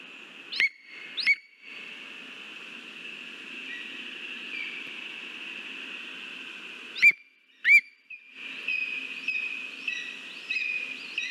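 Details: Lesser spotted eagle at its nest in Latvia on 13 August 2023 as a mouse is delivered. A few sharp, high, whistled yelps come in pairs over a steady background hiss.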